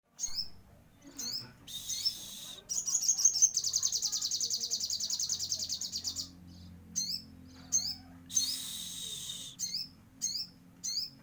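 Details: Sogon bird singing vigorously (gacor), with song elements from Cililin: sharp high chirps and slurred notes broken by two bursts of fast, buzzy high trill lasting one to three seconds.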